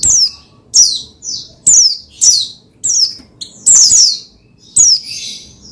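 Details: Oriental white-eye, known as pleci, singing to set another pleci singing: steady series of high, steeply falling whistled notes, about two each second, with one longer chattering phrase midway.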